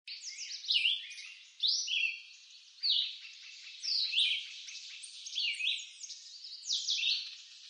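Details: Red-eyed vireo singing in woodland in eastern North America: short, high slurred phrases, some rising and some falling, given about one per second with brief pauses, with a faint echo behind each phrase.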